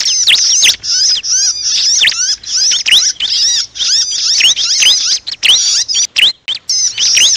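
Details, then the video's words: Bar-winged prinia shrieking as though caught, a recording used to lure the bird for trapping; loud, continuous, high-pitched squeaking with rapidly bending notes and a few short breaks. "suara pikat burung ciblek paling ampuh || mp3 ciblek kejepit"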